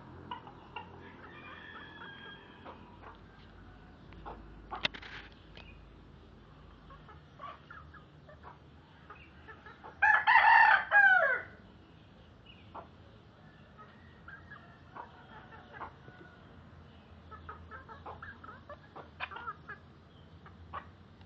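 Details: A batik-patterned Serama rooster gives one short, loud, strained crow amid faint background chirps and clucks.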